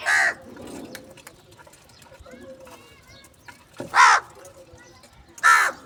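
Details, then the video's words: Crow at a morning feeding of cheese and salty food, calling for food: three loud, raspy caws at irregular intervals, with faint tonal sounds and soft background noise between them. "Crow Call For Foods , Crow Morning Foods"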